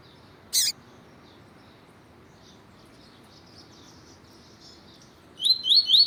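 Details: A male double-collared seedeater (Sporophila caerulescens), with a female calling, gives one sharp chip, faint high twittering, then three quick rising whistled notes, bright and clear against low background hiss.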